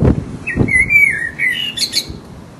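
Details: Resident blackbird in full voice giving its mating song: a fluted, warbling phrase wandering around a mid pitch, ending in a sharp, high twittering flourish, with a few low thumps at the start.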